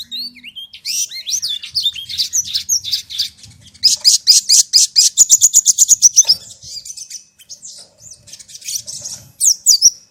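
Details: Lure song of the sogon, meant to train a caged bird to follow other birds' voices: high, rising whistled slurs, then a long fast run of bright repeated notes, fading into softer scattered twitters and a final sharp phrase.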